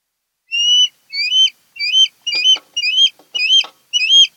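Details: Osprey calling at its Kent Island, Maryland nest, 08-10-2018: seven high whistles, the first long and flat and the rest rising, with soft knocking sounds underneath in the middle.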